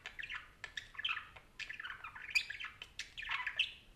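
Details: A chattering parakeet delivers uneven bursts of chirps, buzzy warbles and a few piercing squeaks in a lively, irregular rhythm.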